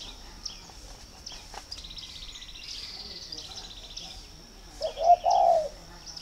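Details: Spotted dove at a dove garden in Ba Vì, Hanoi, Vietnam, calling as a pairing-readiness sign: after several seconds of background chatter and high twittering, a single short low coo phrase closes the recording.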